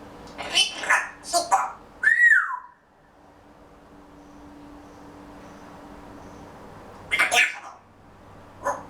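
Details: Pet Grey Parrot chattering to itself ahead of a daytime nap: rapid raspy syllables, then a rising and falling whistle, a long quiet stretch, and two more short scratchy bursts near the end.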